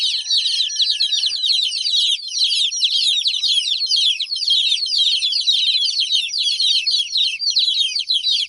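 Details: Chicken chicks crying because their mother hen is away: a dense, unbroken chorus of shrill, downward-sliding peeps from many chicks, overlapping nonstop, with a faint thin whistle-like tone early on.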